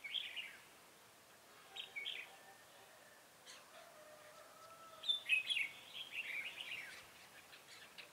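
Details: Red-whiskered bulbul used as a decoy to lure wild birds into a trap, 7 January 2018; short bright warbled phrases near the start, around two seconds and a longer burst after five seconds, with faint distant chirps.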